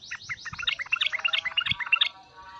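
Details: Sooty-headed bulbul in an agitated mood with 'cukcuk' and 'uplikuplik' calling. It is a busy run of overlapping chirps and bubbly notes, with faint background hum.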